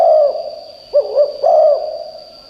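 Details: Spotted dove kept as a decoy to lure wild doves, cooing: a few low, hollow, arched coo notes, the first drawn out and two shorter ones later, over a steady thin high-pitched whine.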